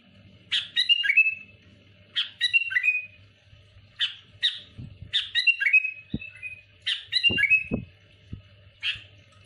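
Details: Sooty-headed bulbul singing at rival bulbuls: punchy phrases of sharp notes falling into a slurred whistle, roughly every second and a half, with a few low thumps and a faint hum beneath.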